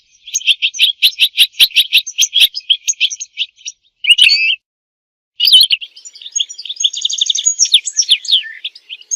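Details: European goldfinch song for mating and for training goldfinches to sing: a rapid series of sharp high chips, then two slurred calls separated by pauses, and finally a fast jumbled twitter.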